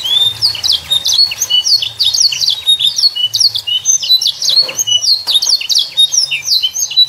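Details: Young canary in full varied song, played to prompt juvenile canaries to start singing: quick chains of high whistled slurs and chips, rolling trills, with a faint low hum underneath.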